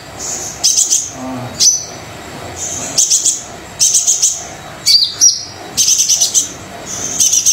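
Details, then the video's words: Brown-throated sunbird singing vigorously with repeated bursts of extremely high, buzzy trilling and thin sharp notes, about one phrase per second, separated by short quiet gaps. "Kolibri Dada Coklat Super Gacor"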